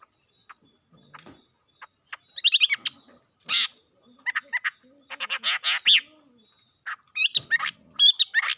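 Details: Scattered bird calls: quiet clicks at first, then clusters of sharp chirps, a harsh burst and quick whistled notes, with low faint sounds underneath.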